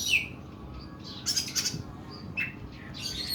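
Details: Brief passage of oriental magpie-robin 'nembak' song, long and rough in style: a sharp whistled note, a harsh scratchy burst, then short whistles over faint hum.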